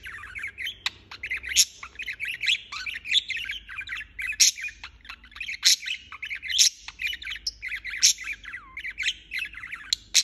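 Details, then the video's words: Non-stop budgerigar chatter, fast twittering chirps and buzzy warbles packed together, broken by bright scratchy squawks every second or so. "Chirping non-stop"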